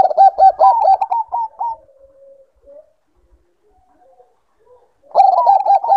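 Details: Breeding-condition zebra dove, Bangkok type: a fast run of staccato coos rising slightly in pitch, trailing into a soft low hum, then silence before another burst of quick clipped notes begins.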